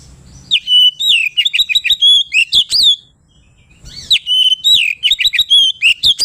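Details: Oriental magpie-robin singing in the loud ngeplong style, played to provoke rivals into calling: rapid bursts of sweet whistles, sharp upslurred notes and chattering, two long phrases separated by a short pause.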